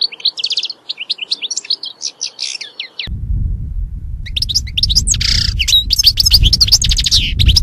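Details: European goldfinch delivering a lively twittering song of high chirps and slurred notes, continuing through a burst of loud low rumbling background noise in the second half.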